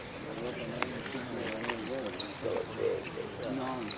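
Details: Finch singing in a contest at Merlo on 3 December 2017, placing third in the yellow category; high, thin whistled notes and fast trills, with people talking quietly in the background.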